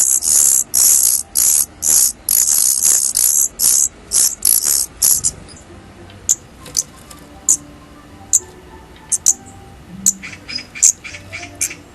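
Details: Daurian redstart fledglings leaving the nest for the first time: very high, thin calls in rapid bursts, dense and loud over the first five seconds, then sparser single notes, with faint background hum.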